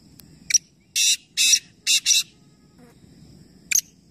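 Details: Three black francolins call together in a calling competition at Nawabshah. Harsh, grating, hissy bursts come in a broken series, with a pair of closely spaced bursts near the middle and short isolated bursts before and after.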